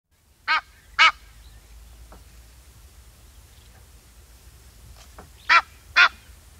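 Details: Egyptian goose calling: two harsh, nasal honks close together, a pause of about four seconds, then two more matching honks, with faint quieter calls between them.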